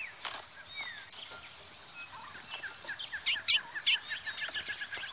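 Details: Two chestnut-bellied seed-finches, a Parazão and a Pardo, fight hard in a rivalry bout: sharp, bright chirps, then a quick run of short down-slurred notes, several each second, over a steady insect hiss.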